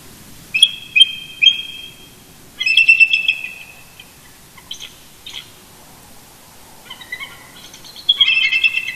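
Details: Eagle couple calling to each other first thing on a Sunday morning near their nest at Big Bear Lake, California, November 2018: three sharp high yelps, a drawn-out chattering squeal, softer faint notes, then a renewed burst of chortling.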